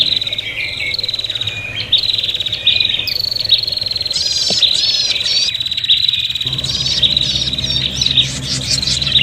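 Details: Prinia fighting calls used for luring birds: a long sustained buzzy trill overlaid with sharp rising chirps and quick rattles, agitated and nearly continuous, over a low droning hum.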